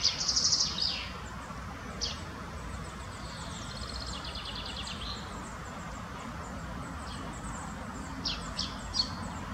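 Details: Spotted flycatcher (Muscicapa striata) in the Munich Botanical Garden giving thin, high, scratchy call notes, some in quick chattering bursts, spaced irregularly over a steady rushing background hiss.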